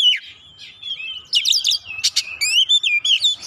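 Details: Oriental magpie-robin (kacer) in an excited, insistent lure song used to spur other birds to sing, pouring out mimicked notes: sliding whistles, then rapid harsh chattering bursts and clear repeated high phrases, with a faint low hum beneath.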